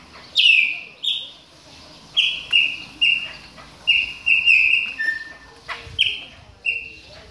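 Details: Chopi blackbird in moult, warming up with a steady series of short, clear, slightly falling whistles, roughly one every half second, with faint clicks between.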